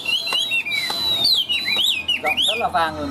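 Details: Loud-voiced Chinese hwamei kept in a cage, delivering varied whistles: long falling slides, then quick looping notes and a burst of rapid chattering phrases near the end.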